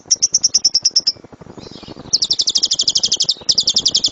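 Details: Lovebird in rapid-fire 'tembakan' song, intended as a master recording to train birds: a run of high, even chirps, a brief lull, then two fast chattering bursts of shrill notes.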